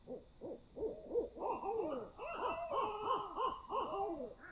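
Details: Several great horned owls calling at 4 AM in the woods, a lively overlapping run of arched, wavering hoots and excited chattering notes, rising and falling rapidly, over a steady high insect trill.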